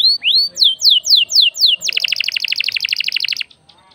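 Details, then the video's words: Lively canary song used to stir other birds into singing: a run of loud descending whistled sweeps, then a rapid buzzy trill of many evenly repeated notes before falling silent. "SUARA KENARI GACOR||bikin emosi burung lain ikut gacor"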